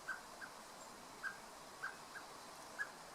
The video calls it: Koltrasthane ropar på sin unge. Common black bird is calling for his chick.